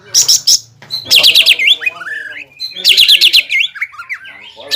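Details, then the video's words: Greater green leafbird singing, used to provoke a rival: two bursts of rapid high chattering notes, each followed by downward-slurred whistles, with a soft buzzing in between. "PANCINGAN CUCAK IJO GACOR BIKIN HYPER CUCAK IJO LAWAN LANGSUNG JAMTROK DAN PANAS"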